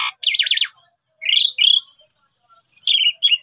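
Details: Master-style song of an Asian pied starling for teaching starlings: fast zigzag chirps, a pause, then buzzy notes and a long high sustained whistle falling at the end.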